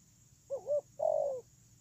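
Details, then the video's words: Spotted dove kept as a ground decoy bird, recorded 8/10/2018: a short two-part coo, a brief wavering note followed by a longer, slightly falling mid-pitched coo, over a low background hum. "CU GÁY PHƯƠNG QUÝ"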